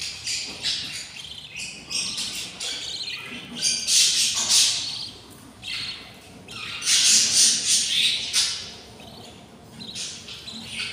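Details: Hungry budgerigar nestlings, six chicks at day 20, keep up a rapid stream of raspy, scratchy begging squawks. These come in two loud bouts with a quieter spell between.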